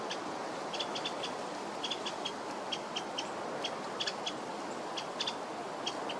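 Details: A winter wren at a botanical garden on 7 December 2023 gives sharp, dry chip notes, often in quick pairs, at an uneven pace against a steady rushing hiss.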